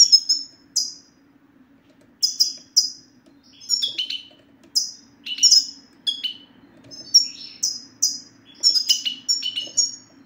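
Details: Twittering 'sitsita' song of the European goldfinch for prompting a silent male: runs of rapid, high, down-slurred notes, a brief pause early on, then dense chattering phrases, over a low steady hum.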